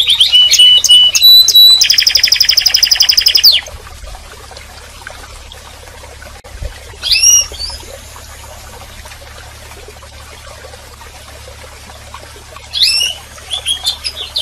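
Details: Canary opens with flat whistled notes and a dense fast trill lasting a few seconds, then long near-silence broken by two short bursts of swooping notes.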